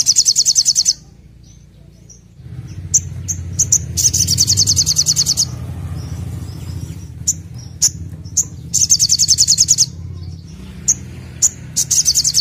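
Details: Olive-backed sunbird in energetic gacor nembak singing: bursts of very high, rapid buzzy trills open and close the passage, separated by sharp thin chips and pauses over a steady low hum.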